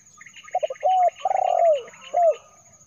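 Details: Spotted dove calling, a recording meant as a lure for wild birds: a few short clipped coos, then a long rolling coo falling at the end, and a final down-curving coo, with a steady high electronic whine throughout.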